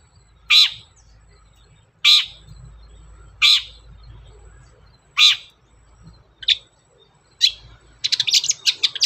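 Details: Long-tailed shrike, a lure recording meant to get shrikes singing: four harsh rasping notes at spaced intervals, two shorter scratchy calls, then a quick burst of sharp chattering notes.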